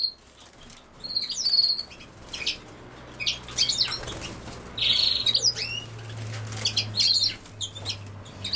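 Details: European goldfinch with common sowthistle: high, tinkling chirps and short twittered phrases in loose bursts, with a faint low hum underneath.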